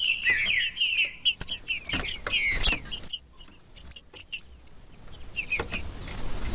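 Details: Green-winged saltator singing to stimulate other saltators: about a second and a half of rapid whistled, slurred phrases at the start, then scattered clicks and short high chips over quiet background hiss.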